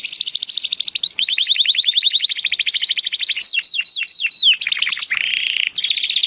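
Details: Timbrado canary singing for training: long continuous rolled trills, then a string of sharp dropping notes and short buzzy bursts, bright and high.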